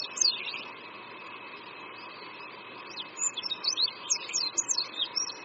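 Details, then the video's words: Oriental white-eye perched over a creek in Qingdao, China: a short twitter at the start, a quiet gap, then a lively burst of high, rapid slurred notes building over the last two seconds above faint background noise. "Oriental White-eye Singing"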